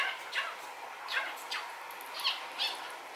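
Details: Pet male rainbow budgerigar, filmed from a distance with a strong telephoto zoom, chattering with a series of short scratchy notes, several rising or falling sweeps, spaced roughly half a second apart over soft background hiss.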